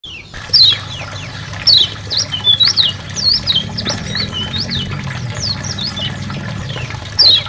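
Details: White-eye song from the Lombok and Karimun types, used as a tutor recording for training songbirds: bursts of high, thin, fast-sweeping whistled notes rising and falling in quick twittering phrases, over a steady low hum.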